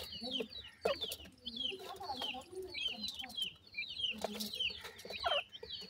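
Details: Francolin chicks being fed by their parents give rapid, high, downward-slurred peeps, about 97 a minute in loose series, over low purring clucks and occasional loud clicks.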